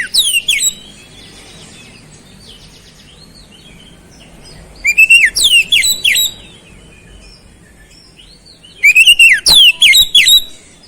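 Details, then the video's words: Oriental magpie-robin giving frequent beset-style song stuffed with flowerpecker phrases. Three short bursts of loud, sharp, swooping whistles, each about a second long, are spaced several seconds apart over quiet background. "KICAUAN KACER GACOR BESET ISIAN CABE CABEAN"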